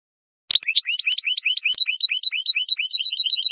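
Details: European goldfinch singing, recorded for tutoring fledglings: an abrupt start into a lively stream of high, rising chirps and twitters, evenly paced and continuous for three seconds, in a quiet setting.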